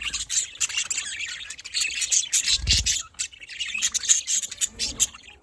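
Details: Budgerigars in the afternoon, with dense high chirps and warbling twitters overlapping continuously, busy bursts of chatter from several birds and a brief low thump near the middle.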